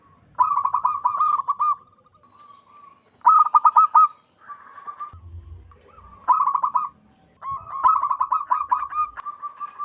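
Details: Wild local zebra dove calling loudly and vigorously, a sound suited to luring doves for trapping: bursts of rapid pulsed cooing trills around a mid pitch, each lasting one to two seconds, separated by quieter drawn-out coos.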